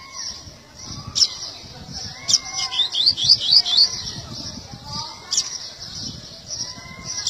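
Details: Seedeater singing a short run of sharp, high chirped notes in quick succession, mixed with frequent sliding whistles from other caged birds and background chatter.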